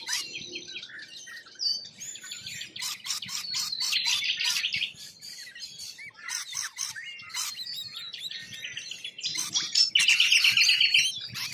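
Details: Rainbow lorikeets, wild, Australia: a continuous flock chorus of high, harsh screeches and twittering squeals, rising to a louder burst of grating chatter near the end.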